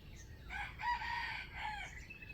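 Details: Wild chicken kept for trapping, crowing in a standard voice, recorded 05/07/2025: a short crow of several stacked harmonic syllables, a rising start, a held middle and a brief clipped ending, over a low background hum.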